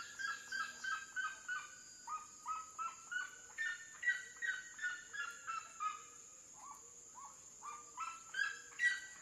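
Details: Red-legged seriema song in a natural setting by water: a long run of yelping notes, some rising in stepped pitch, about two or three per second, with a steady high hiss and softer low notes.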